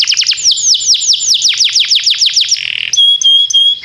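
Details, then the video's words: Canary song used for training canaries to sing, with timbrado and Belgian canary styles named: a fast series of downward-sweeping whistled notes, then steady high tones and a short buzzy trill. "Cantar canário faz seu canário cantar"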